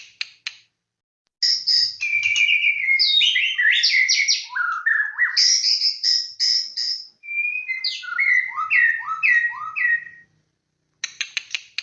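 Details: White-rumped shama, a very vocal bird singing as a lure recording: a long, loud run of varied whistled phrases, sliding, trilled and stepped notes in quick succession, framed by short clicking bursts at the start and end.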